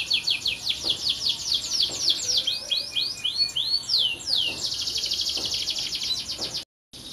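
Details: A canary sings a run of quick downward-slurred whistles that turn into rising and falling sweeps, then a fast even trill, ending abruptly in a short silence.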